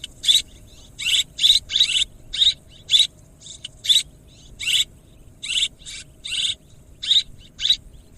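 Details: Swiftlets chirping in a steady series of brief, sharp, high-pitched twittery bursts, about one or two each second over several seconds, with short quiet pauses between them and a clean background.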